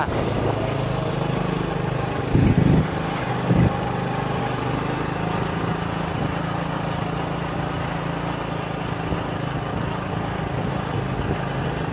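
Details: A steady low engine drone fills the recording, with two brief louder bursts early on and no animal voices.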